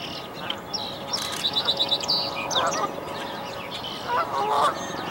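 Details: Canada goose family at a tree nest where five fluffy goslings leap out after their mother; a quick run of short nasal honks, then louder, rougher calls near the end, over steady background hiss.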